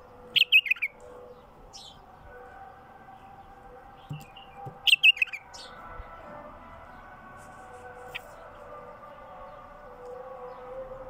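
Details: A wild bulbul sings, used to prompt other wild bulbuls to sing. It gives two short, bright, bubbling phrases about four seconds apart over a steady low electrical hum.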